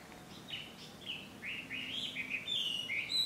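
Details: Chinese hwamei recorded at Ikimono Fureai no Sato, Japan, in June 2020: quieter whistled phrases building in loudness, sliding up and down, with steady background hiss.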